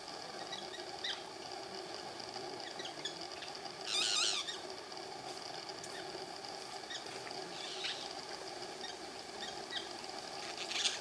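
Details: A white-winged (canary-winged) parakeet (Brotogeris versicolurus) at Tarapoto gives a harsh, scratchy screech near the middle, with fainter rasping notes scattered around it, over a steady high insect drone.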